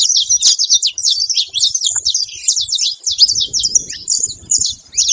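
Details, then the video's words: Noisy saffron finches at a seed feeding spot, their high chirps running together in a fast, crowded chatter of quick slurred notes with hardly a pause, plus soft low background noise. "canário da terra fazendo muito barulho na seva"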